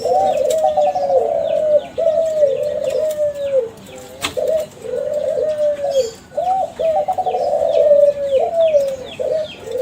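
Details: Kelantan-strain spotted dove from a champion contest line, kept as a lure to set other doves calling: low, rolling coo phrases repeated steadily, each a short burst followed by a long wavering note, with small birds chirping faintly behind.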